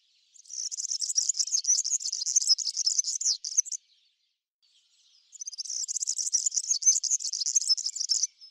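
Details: European serin feeding on Brassica oleracea seeds in a backyard alongside common linnets and European greenfinches; two bursts of fast, high, jingling, buzzy twittering, each about three seconds long, separated by a brief silence.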